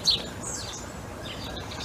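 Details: Sparrows in a large flock in Britain, including recently fledged young, give a few short, high chirps, with one bright note at the start, over a soft hiss of outdoor background noise.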